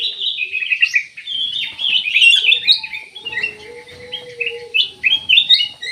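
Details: Ruby-throated bulbul singing nonstop: a dense stream of rich, jumbled warbles and quick chirps, with a faint steady lower tone in the background.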